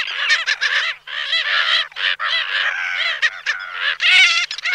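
A busy chorus of Slender-billed Gulls: harsh, nasal, overlapping calls, some short and clipped, others drawn out and wavering, in near-continuous bursts.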